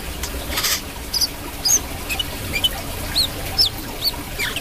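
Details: Brown-throated sunbird gacor song of high, squeaky, hooked chirps in an uneven series, mixed with brief rustling bursts and background hiss.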